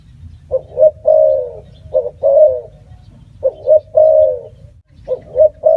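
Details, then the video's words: Spotted dove calling in phrases: a couple of clipped coos leading into a long, even hoot, repeated three times with pauses between, low background hum. "Bird sound spotted dove"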